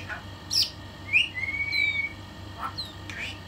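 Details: A female pet talking myna gives a few bright squawks and a long, level whistle, then rough bursts that the owner calls laughing. She can also bark and says good morning daily. Faint indoor hum underneath.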